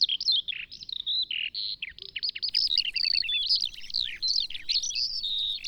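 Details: Eurasian Skylark from European agricultural plains, a dense, hurried cascade of high warbling notes, sweeping slurs and short buzzy trills, with faint low rumble underneath.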